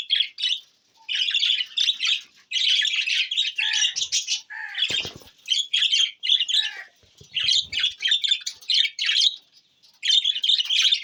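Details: Budgerigars give long runs of scratchy warbled chirps, steady chatter broken by short pauses, with a low thump midway.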